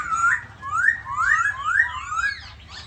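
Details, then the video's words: A "khướu da bò" laughingthrush, singing while performing a dancing display, gives a run of five clear, rising whistled notes, about two per second, over a faint low hum. "Khướu da bò hót múa đẹp"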